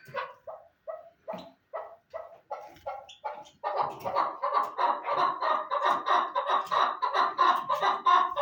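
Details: Chukar partridge delivering spaced, single clucking notes that build into a continuous, regular series of louder, harsher chuk calls, about one and a half each second.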